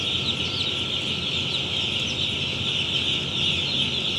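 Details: Day-old chicks on their first day in an automatic poultry farm in Pakistan. Many overlapping high peeps merge into a constant, dense chorus. A steady mechanical hum runs underneath.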